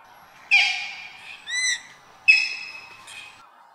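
Two loud, harsh, explosive croaking calls from a moorhen about two seconds apart, each trailing off, with a brief nasal squeak between them.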